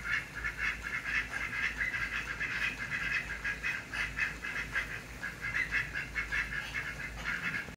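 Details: Pekin ducks (domestic duck) quack in a steady, nasal run of rapid calls, several per second, with a low background hum; at an apartment complex in Oviedo, Florida.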